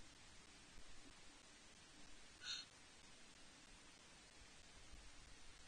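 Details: Eurasian jay visiting Loch Arkaig osprey Nest One at about 07:17 on 10 May 2023, calling a couple of times: one brief, harsh, rasping screech against a constant hiss of wind or microphone noise.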